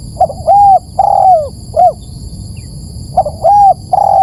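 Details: Spotted dove lure call: two full phrases of mellow low coos. Each has short clipped notes around a long falling croon, separated by about a second of quiet. A constant thin electronic whine sits high above.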